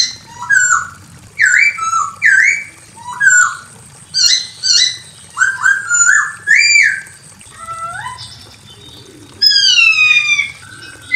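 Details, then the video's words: A female Chinese hwamei calls to a male with a lively run of whistled phrases. Its short, slurred notes swoop up and down, and near the end it gives a falling buzzy sequence. "SUARA POKSAY HONGKONG BETINA GACOR MEMANGGIL JANTAN"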